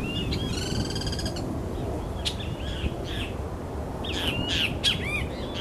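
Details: Scarlet-headed blackbird: clear whistled notes near the end, some bending sharply up or down, after an earlier nasal, buzzy stacked series. Steady broadband background hiss throughout.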